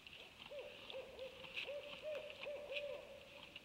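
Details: An owl gives a run of short, evenly arched notes, repeated several times a second, over a constant high insect-like hiss.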